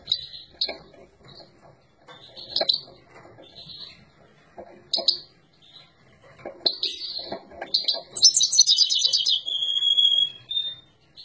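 A Himalayan goldfinch sings bright, scratchy twittering phrases of quick high chirps, ending in a fast jingling trill and a sustained thin whistle.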